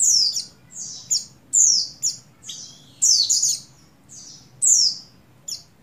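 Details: Breeding-condition female Oriental white-eye, buxtoni type, calling for a male, used to stimulate males to sing: bright, high descending chirp notes in separate bursts about every second, with silent gaps between them.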